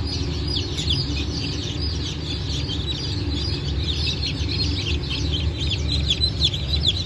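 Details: Newly hatched chicks of mixed Brahma, Phoenix, Sultan and Appenzeller breeds, 9 May 2024: a smeared, continuous wash of high overlapping peeps from many birds, over a strong steady low hum.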